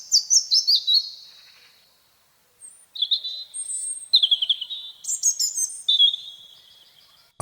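European Robin singing short, high, wavering phrases separated by pauses, some thin and sweet, others rapid and tumbling, with a click at the end.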